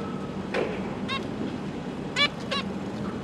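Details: Zebra finches, a pair with three juveniles and three newly hatched young, recorded 12 December 2022 while parents fed chicks: four short nasal, harmonic-rich honking calls spaced irregularly over a low steady hum.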